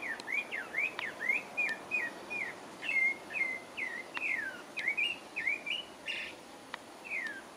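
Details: Song of a pale-breasted thrush in French Guiana: a steady series of swooping whistled notes, some rising and some falling, with a brief buzzy note midway and scattered sharp clicks in the background.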